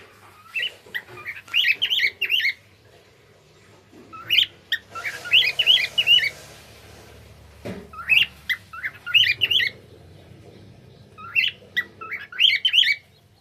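A cockatiel sings bursts of bright, warbling whistles that rise and fall, pausing between phrases.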